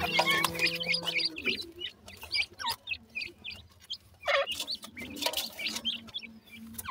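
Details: Lively black francolin chicks give rapid, irregular high cheeps, many notes in quick succession, after a brief harmonic hum at the start, with soft low background noise.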